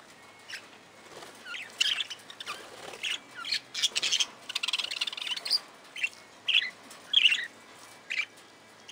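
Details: Several budgerigars kept in an aviary chatter with quick, high chirps and twittering notes, delivered in uneven bursts separated by short silences.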